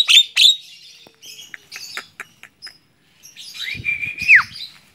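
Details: Javan myna, a tame bird, chattering on the hand: two loud harsh squawks open, then clicks and scratchy notes, ending with a drawn-out buzzy whistle that drops steeply.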